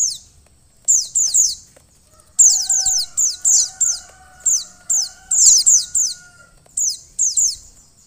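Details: A female white-eye, kept to stimulate a male into singing, gives thin, very high downslurred notes in quick bursts of two to four over a faint steady whistle-like tone.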